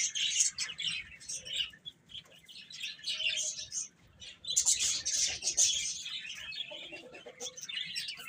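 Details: Hen chicks at food and play, producing continuous overlapping high peeps in two dense bursts separated by a short quieter gap.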